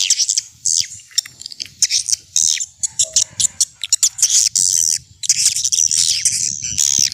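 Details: Swiftlet lure call in a vintage style for attracting the birds: a stream of sharp, high, buzzy chirps and twitters in quick succession over a soft low rumbling background.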